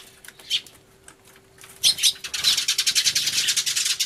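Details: Sparrows crying hard in a commotion, 24 March 2013, camcorder recording with a turtledove; a few isolated chirps, then a loud outburst swelling into continuous rapid high chattering.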